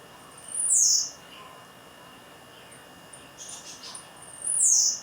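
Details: A blue-black grassquit singing at 11:46 on 7 May, having sung all day since early morning, gives two high, sharp buzzy notes sweeping downward about four seconds apart, with faint chirps from other birds between them.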